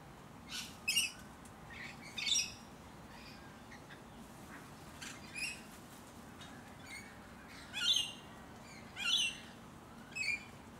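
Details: Musk lorikeets in Hunters Hill, a leafy Sydney suburb in Australia, late November to early December 2020: short shrill screeches in scattered bursts, about eight over eleven seconds, some doubled, over a steady low background hum.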